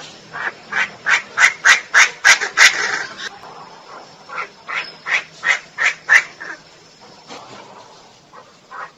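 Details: Female Chinese francolin calling: a rhythmic run of short harsh notes, about three per second, swelling in loudness, pausing briefly, then resuming in a second burst of similar clipped notes, with a faint steady whine in the background.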